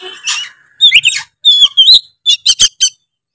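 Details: Oriental magpie-robin in a brief ngeplong song burst, the style said to provoke other magpie-robins: a few loud whistled slurs followed by four sharp, evenly spaced chips.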